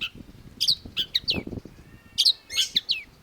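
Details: Long-tailed shrike, locally called cendet, singing actively: short sharp chirps and downslurred whistled notes in irregular bursts, with some low thumping and rustling beneath.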